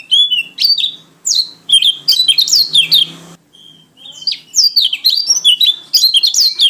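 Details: Lombok/NTT white-eye singing vigorously in wild style: bursts of rapid high, sweeping whistled and twittering notes in quick runs, a brief pause near three seconds, then renewed energetic chattering phrases.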